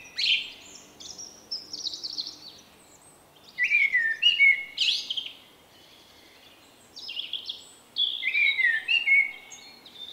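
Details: Male Common Blackbird singing his unique song in late March 2024; three bursts of mellow whistles and high squeaky twitters come in phrases separated by pauses of about two seconds.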